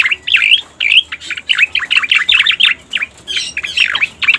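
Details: Lure sound of the striated grassbird, known locally as cica koreng: rapid series of high, sweeping chirps and twitters in clustered phrases with short gaps, steady and energetic throughout.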